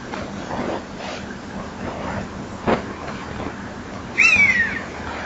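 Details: Common buzzard calling near the microphone of a nest-box camera at 19:38 in the evening on 28 September 2011: a single descending mewing cry near the end, after soft background clicks and knocks.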